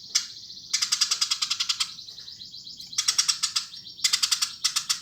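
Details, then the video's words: Tree sparrow singing in strong bursts of fast, harsh chirps, several series of rapid notes with thin buzzy high tones filling the gaps. "Burung gereja gacor !!!"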